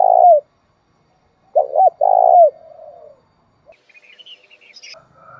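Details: Spotted dove in thúc bổi style, calling to stimulate another dove: the tail of one phrase, then a full phrase of two quick coos and a drawn-out wavering note, followed by soft trailing murmurs and faint chirps.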